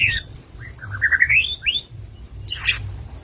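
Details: Medan white-rumped shama delivering a rising series of whistled slurs that climb steadily in pitch, bracketed by short harsh chattering bursts at the start and near the end.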